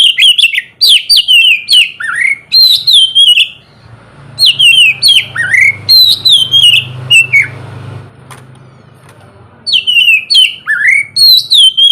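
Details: Ngeplong song from an oriental magpie-robin, played in the morning to stir silent birds: repeated clusters of crisp whistled notes, with a soft droning hum behind a quieter middle stretch.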